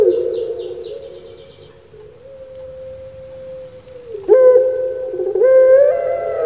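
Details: A fading sustained coo of a captive puter pelung dove in Java, Indonesia, with quick high twittering from another bird at first, then two fresh rising coo phrases.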